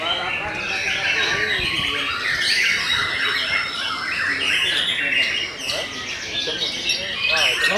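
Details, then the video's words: Belanda white-rumped shama in full, fast song, packed with chattering trills and whistles, ending in a quick ascending and descending flurry of notes. "TOP CERR🔥 Murai Batu BELANDA Memang TOP - Masih Stabil"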